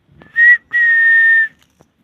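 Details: Parrot giving two clear whistled notes near the same steady pitch, a short one then a longer held one, in a quiet room.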